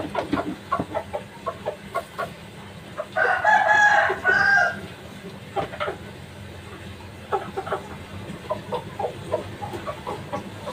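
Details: Three-month-old kukuak balenggek chicken, a young bird, gives a loud harmonic crow in two linked phrases lasting about two seconds, amid a background of scattered clucks from other chickens.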